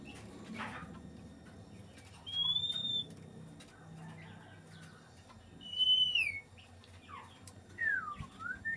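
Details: White-rumped shama in breeding condition giving loud, pure whistled phrases spaced a few seconds apart, each a long clear note that bends downward at the end, then a quick rising-falling whistle.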